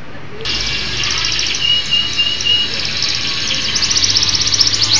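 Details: Local canary singing energetically: a long, dense, buzzy trill with a few short whistled tones, over a steady high hiss.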